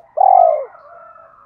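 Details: One drawn-out, low, smooth coo of a spotted dove, a sound used to excite decoy birds in training, trailing into a faint wavering higher tone.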